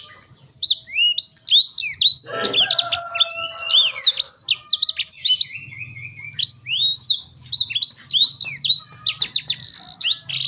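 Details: Agitated black-throated canary (blackthroat) singing hard right away: a fast, loud stream of high, sharply slurred whistles and chips, with a short dip into lower, buzzier trills midway.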